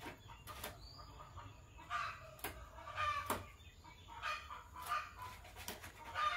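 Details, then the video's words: Pair of green Fischer's lovebirds chirping in the morning: harsh, broadband chirps in short bursts, irregularly spaced about every half second to second, with a steady faint hum behind. "Green Lovebird Couple Singing & Chirping Voices - Green Fischer Couple"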